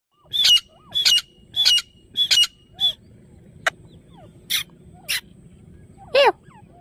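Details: Female partridge calling, used for partridge hunting; a series of sharp, harsh notes repeated about every half second, then scattered single notes and a final rising, squealing call.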